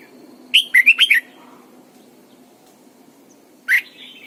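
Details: Caged decoy Red-whiskered bulbul singing in the morning for bird training: a rapid five-note whistled phrase, a long quiet gap, then one more loud rising note followed by a softer trailing whistle.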